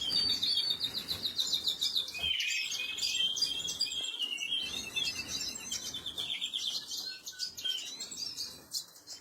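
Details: Canary chicks begging as they are fed, 26 April 2022: an insistent, shrill chorus of rapid high squeaks and trills that rises and falls, fading slightly near the end.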